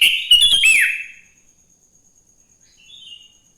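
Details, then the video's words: Sooty-headed bulbul singing in the morning, a recording meant to prompt other bulbuls to sing: one loud, bright, chattering whistled phrase lasting about a second, with sharp clicks, then near silence and a faint, brief whistled note. "Suara Burung kutilang GACOR di Pagi hari‼️ Joss Buat Pancingan Kutilang Bahan Agar Cepat Bunyi"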